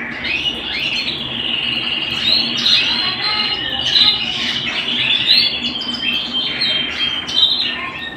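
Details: A canary sings indoors with a continuous run of held whistles, quick upward sweeps and rolling trills that keep shifting, nearly unbroken for eight seconds against light background hiss.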